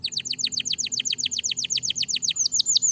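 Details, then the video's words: Canary song played to stimulate lazy canaries to sing: a fast train of about twenty identical descending whistled notes, steady and rhythmic, shifting at the end to a few higher, slower swoops; faint low hum beneath. "bom canário! muito eficaz em estimular o som de canários preguiçosos"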